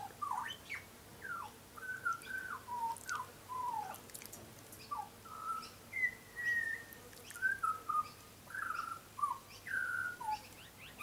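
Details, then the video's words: Sustained song from a tame young butcherbird that often visits a garden: a long series of rich fluting whistles, looping up and down in pitch, phrases repeated roughly every second over eleven seconds. "Young Butcher Bird is singing a song"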